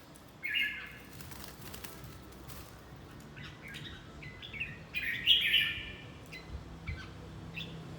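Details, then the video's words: Red-whiskered bulbul in fight training: an early short warble, scattered chirps, then a louder burst of rich, fluty, chattering phrases before softer notes fade out. "Chào mào tập chiến"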